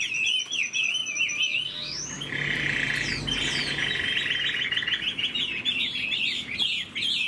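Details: Caged, mature Chinese hwamei that is moulting sings a loud, continuous run of rich, rising, warbling whistled phrases in wild-style song, with rapid trills and varied high notes throughout.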